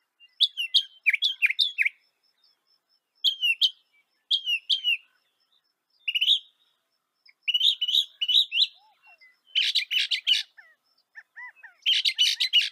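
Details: North American northern mockingbird delivering varied song: quick chirped phrases repeated in clusters, then harsher, noisy bursts in the later part.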